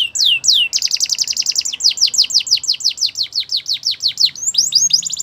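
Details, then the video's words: Belgian canary singing to set other canaries singing; two swooping whistles lead into a fast trill, followed by a long run of steadily repeated down-slurred notes. "Special canaries to seduce all the canaries to make them sing | Belgian canary"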